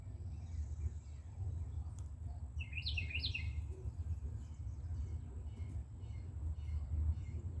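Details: Carolina wren at a nest on an outdoor shelf: a brief song of two or three fast rolling whistled phrases, fairly soft, set against a low continuous hum.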